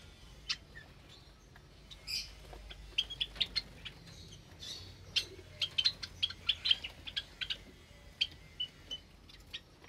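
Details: Java sparrows in a caged aviary holding many newly hatched chicks, recorded on a Sunday morning, 8 May 2022; scattered short high chirps, sparse at first, then quick clusters of sharp tweets from several birds.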